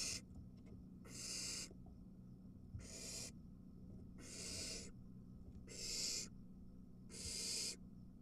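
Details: Three barn owl nestlings at the nest as an adult arrives with a mouse and one grabs it; rasping hisses repeated about every second, steady in length, over a low electrical hum.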